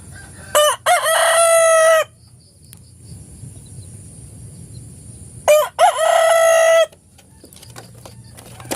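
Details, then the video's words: Morning rooster crowing twice, each crow a clipped two-part opening leading into a long loud drawn-out note, spaced about five seconds apart, with soft background noise and faint chirps between. "the sound of a rooster crowing in the morning"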